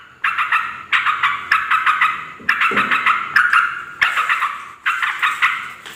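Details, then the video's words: Noisy yellow-vented bulbul chatter meant to lure wild females and males: rapid bubbly phrases repeated almost without pause, each burst starting loud and trailing off. "suara trucukan ribut || ngoceh memanggil terucuk liar"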